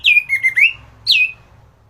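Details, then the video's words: Orange-headed thrush song kept for training other birds: a clear whistled phrase dropping then level and rising, followed after a short gap by a second falling whistle. "Burung anis gacoran || masteran untuk burung anis"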